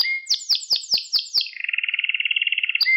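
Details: Canary song recorded for training young pet canaries to sing: a run of six descending sweeps, then a fast trilled roll repeated about twenty times, ending with a clear whistled note.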